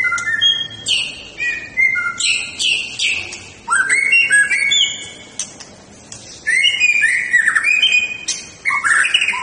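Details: Varied fighting-style song of a white-rumped shama: rapid strings of loud whistles and slurred notes jumping between low and very high pitches, in bursts separated by short quiet gaps.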